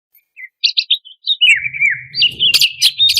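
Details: Greater green leafbird, an agitated competition-style singer used as a lure to provoke other contest birds. Short high chirps lead into a long slurred whistled phrase, then rapid sharp notes, with a low rumbling noise underneath.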